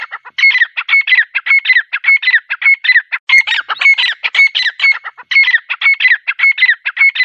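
A grey francolin gives loud, harsh, ringing notes in a fast, steady series, about two every second, with no other clear sounds.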